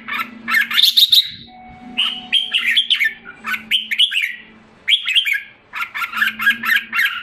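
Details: Caged red-whiskered bulbul (jambul) in Singapore, 7 July 2017, recovering its health and form after a drop in form. It sings loud, bubbling warbled phrases in bursts with short pauses, over a steady low hum.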